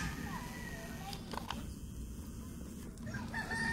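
A bantam rooster gives a short harmonic crow in the middle, over steady low rumbling background noise with a few clucks.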